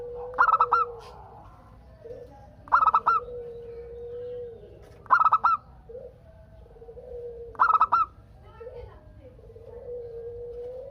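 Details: Zebra dove (perkutut), a local bird singing to lure others into calling back; four clipped, rolling coo phrases roughly every two and a half seconds, with long low answering coos in between.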